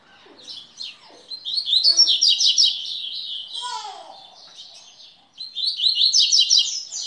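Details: Coleiro (Double-collared Seedeater) pouring out long, rapid high twitters and buzzy trills, with a brief lower descending whistle mid-way before the song resumes.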